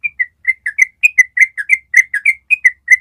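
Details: Long ropel of a yellow-vented bulbul for training other birds: crisp, separate whistled notes, some rising and some falling, about four to five each second, loud and clear.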